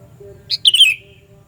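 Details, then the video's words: Sooty-headed bulbul calling loudly to lure bulbuls; a crisp introductory pip followed by a bright, falling whistle, short and clear above a quiet low drone. "Panggilan Burung Kutilang Suara Nyaring Keras, Cocok Buat Pikat Kutilang Anda"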